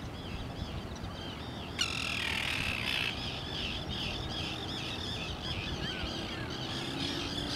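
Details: Arctic tern at Lake Ontario, Canada: one loud, grating screech lasting over a second, followed by a steady run of short, sharp, repeated chirping notes, over constant low background rumble.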